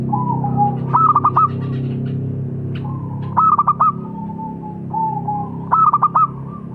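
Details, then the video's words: Zebra dove, local perkutut type, repeats its song about every two and a half seconds: a long soft coo, then a burst of four or five fast clipped notes, then another sustained coo, over a low background drone. "Suara Burung - Perkutut Lokal"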